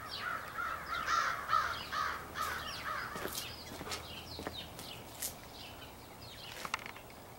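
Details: Large extended group of crows, possibly choosing mates, recorded on 4 April 2015; overlapping harsh caws around many birds at once, a dense chorus early that thins out, with scattered clicks and faint background noise.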